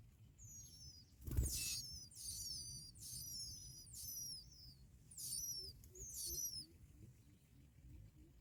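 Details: Young bar-winged prinias begging as both parents feed them black locusts; high, thin squeaky notes in repeated bursts, with one loud thump near the start, and low background rumble.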